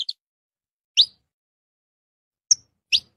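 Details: Canário-da-terra, the saffron finch, uttering a few isolated bright chirps at irregular intervals, each short and high-pitched, with silence between.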